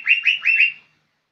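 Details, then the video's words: Young green leafbird singing four quick rising-falling whistled notes in a short burst lasting under a second, clean with no other sounds. "Cucak ijo muda super gacor"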